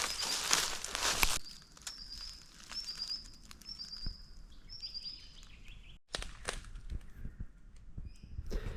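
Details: White-throated Honeyeater, a very small bird usually foraging in the canopy of Australian wet sclerophyll forest, gives a run of very sharp, short, high whistles in quick staccato succession; rustling footsteps and handling noise at the start and end.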